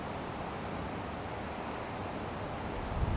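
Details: Blue tit fledglings leaving a nest box in Partille, Sweden, 12 June 2010: very high, thin descending notes in two short series, about three then five notes, against a constant low rushing noise.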